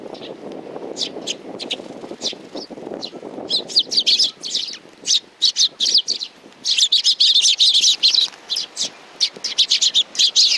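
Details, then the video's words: Hand-tame young sparrows, sparse high chirps at first over soft rustling, then building into rapid, dense, overlapping chirping that runs almost continuously toward the end. "可愛いすずめ達 20190628 4 （手乗り子雀）"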